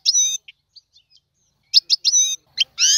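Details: Trained goldfinch singing Tiwawati style: a buzzy twittered phrase, a few soft isolated notes, then a dense burst of bright tinkling twitters ending in a drawn-out nasal note.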